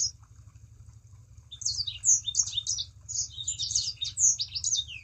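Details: Lure recording of a Sangihe shrike-thrush singing, meant to make other birds join in: after a quiet opening second, a quick run of sharp, high, squeaky notes and twitters continues to the end over a low hum.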